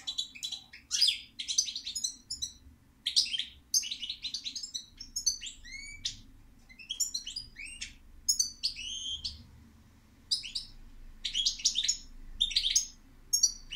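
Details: European goldfinch singing a long, lively twittering song of rapid liquid chirps, trills and short rising and falling whistles, delivered in bursts with brief pauses, against a faint low hum.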